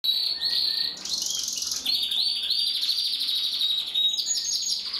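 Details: Male canary bred in 2021 singing: continuous bright rolling trills and rapid buzzy notes, shifting between high tours, with a clear steady whistled note near the end, no other sounds.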